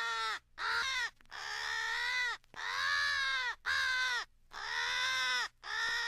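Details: American crows rallying in a fight with an owl, for crow hunting: very long, hoarse, drawn caws, some over a second, with brief pauses between them.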